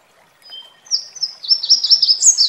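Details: Red warbler in nature beside a waterfall: a brief thin note, then a continuous high, warbling trill that rises and falls for about one and a half seconds, over soft water noise.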